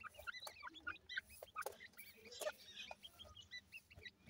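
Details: Partridge chicks playing, their short high twitters repeated rapidly in overlapping bursts, with scattered knocks and clicks underneath.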